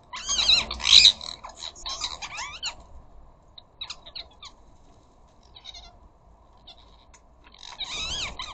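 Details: Ring-necked parakeet flock descending on a garden bird feeder: noisy burst of overlapping screeching and chattering at first, a long quiet stretch with faint distant calls, then renewed wavering screeches.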